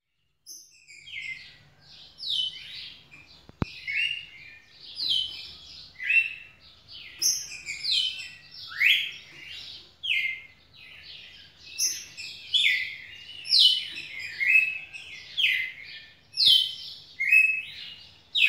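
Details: Red-cowled cardinal, back to its usual activity and singing a lot on 9 November 2018, gives a continuous run of bright, sweet whistled phrases.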